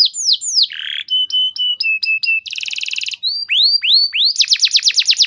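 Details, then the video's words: Canary lure song for training caged canaries: varied phrases of falling whistles, a buzzy note, a row of flat piping notes, a dense trill, then rising swoops and a fast final trill. "Terapi Burung Kenari Cepat Bunyi Gacor Dengan Suara Pancingan Kenari Gacor Nembak Panjang Ini"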